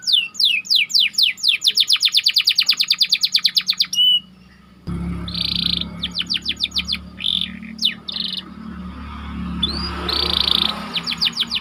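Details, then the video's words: White canary's tight rolling song, used to train other canaries: rapid repeated downward notes, a brief pause, then buzzy bursts and quick trills over a low background hum. "Burung Kenari Ngerol Rapat 🔻 Cocok Untuk Masteran"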